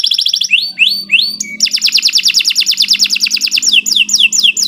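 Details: Canary song, a long energetic performance used as a lure for training other birds: loud, varied phrases of rising whistled sweeps, then a fast rolling trill of bright repeated notes, ending in quick upward-slurred chirps; faint low hum beneath.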